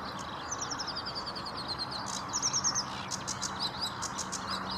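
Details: Sedge warbler at Vange Marsh RSPB, 7 May 2016, singing quick rattling trills of repeated high notes, then louder buzzy bursts and scratchy chatter, heard over steady background hiss and a faint low hum.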